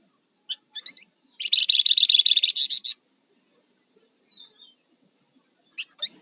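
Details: Rufous-fronted laughingthrush in active 'ngebren' and 'nyiul' song, used as a lure and master bird for training: scattered sharp chips, then a dense, loud buzzy rattle of rapid pulses for about a second and a half, a thin descending whistle, and more chips.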